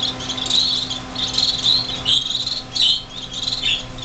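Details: Finch fledglings, six young birds that left the nest that day in a greenhouse in January 2007, give louder, longer, slightly rasping high calls, several overlapping, with a constant low hum behind.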